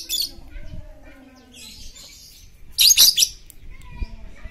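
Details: Lovebird chatter used as a lure to prompt silent lovebirds to sing: a brief harsh burst at the start, softer scratchy twittering, then a loud cluster of rapid high chirps near the three-second mark over faint low background noise.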